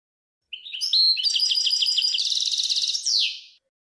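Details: A continuous three-second outpouring of European goldfinch song, recorded in 2020. Twittering and tinkling phrases run into a dense, buzzy trill, then end with a brief fading flourish.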